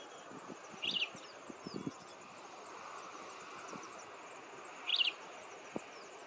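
Grey-headed kingfisher giving two short, sharp, high chattering bursts about four seconds apart, over a steady insect hiss and faint rustling.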